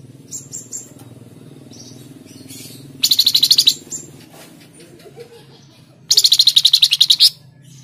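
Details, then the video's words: A Flamboyan bird in Tledekan Jati style, the song used as a lure to start cage birds singing: two loud, rapid, high, buzzy trills about three seconds apart, with soft chips and whistles between them. "Pancingan Burung Flamboyan | Tledekan Jati"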